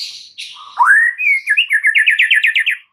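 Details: White-rumped shama song played as a lure to snap a stressed shama into loud singing: a short buzzy note, a rising whistled sweep, then a quick rolling trill of repeated notes.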